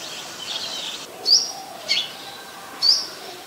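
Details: Olive-backed (yellow-bellied) sunbird, Cinnyris jugularis, recorded at home in February, giving three thin, high, sharp chip notes about a second apart over a steady background hiss.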